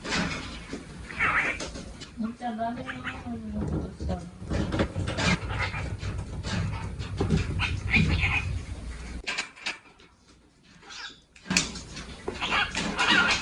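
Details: Pet male cockatiel inside a room, quietly babbling to itself as it waits while the room is cleaned; mixed warbles, a wavering tonal phrase, and scratchy muttering, with a silent pause, then sharper chirps and household clatter.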